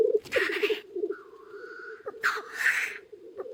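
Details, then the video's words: Black grouse cocks at an early-spring lek beside a hide. Two loud hissing sneezes, at the start and past the middle, break a soft bubbling murmur, with a thin, level whistled note between them. "Тетеревиный ток у шалаша"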